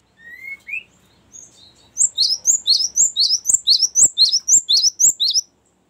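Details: Long rolling Cinereous tit song played to lure and train birds: two soft rising whistles, then a steady string of about thirteen high, sharp double-note phrases delivered rapidly and evenly.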